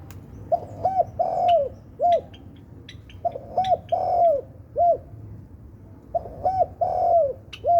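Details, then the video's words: Spotted dove repeating its melodious cooing phrase three times, roughly every three seconds. Each phrase holds several short hollow coos and one longer downslurred note. Soft ticking sounds occur between phrases. "Suara Merdu Burung Tekukur Sultan"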